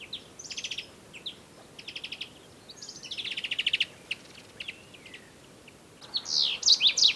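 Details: Common bulbuls in a pre-dawn chorus in a Sous Valley garden, Morocco. Loud, raucous, varied phrases of buzzy trills, quick chirps and slurred whistled notes in bursts, with a harsher, louder outburst near the end and no other clear sounds.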